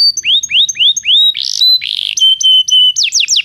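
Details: Belgian canary song for training canaries that do not sing: slow upslurred whistles about every quarter second, buzzy rattles, a long steady tone, then quick descending notes.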